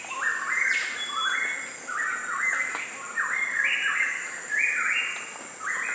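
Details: Twelve-wired bird-of-paradise, Seleucidis melanoleucus, giving loud, harsh, nasal notes that step upward then hold. They come in overlapping bursts about twice a second, suggesting more than one caller, over a steady high insect hum.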